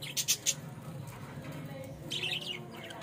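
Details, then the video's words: Budgerigar, called bajrika, in Bangladesh: three quick high, sharp chirps in rapid succession at the start, a short pause, then a denser burst of buzzy, warbling high chirps, with a low steady background hum. "Bajrika bird | আমার প্রাণের বাজরিকা পাখি"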